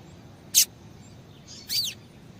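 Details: Female double-collared seedeater call meant to make males sing: a sharp, click-like high note, then after a pause a softer, downslurred chirp, in quiet surroundings.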